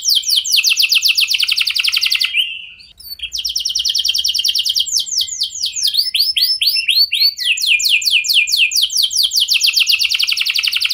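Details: Canary lure song for drawing replies from other canaries. A dense high trill pauses briefly, then continues as a long run of rapid rising sweeps and rolling buzzy notes.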